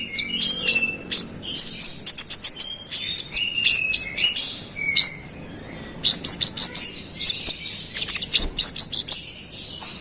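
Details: Konin pouring out a rolling, insistent song to anger rival birds: quick runs of sharp high chirps, thin slurred whistles, and rhythmic trilled phrases repeated in rapid bursts.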